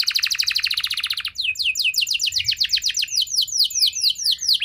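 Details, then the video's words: Lure song of a canary meant to set other canaries singing long: a rapid rattling trill, then a quick sequence of clear whistles slurring downward, steady and high-pitched, with no other sounds. "Cukup Putar 10 Detik! Kenari Mana Saja Bakal Nyaut Cepat Respon Jadi Gacor Nembak Panjang"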